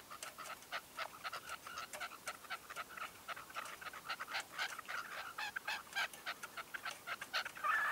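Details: Dense, rapid clicking and chattering from a red-legged partridge used as a hunting decoy during a dawn session, 2023, with notes tumbling at nearly four per second and growing louder toward the end.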